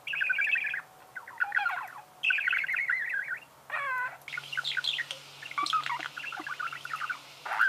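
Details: Pet budgerigar chirping at home, a stream of buzzy warbles and trills in repeated phrases, including a downward-sweeping squeaky note, continuing almost without break over a faint low hum.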